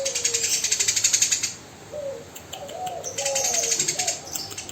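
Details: Eurasian tree sparrow, tame and vocal, with a long run of quick harsh high chirps, a pause holding soft lower slurred notes, then another rapid rattling burst.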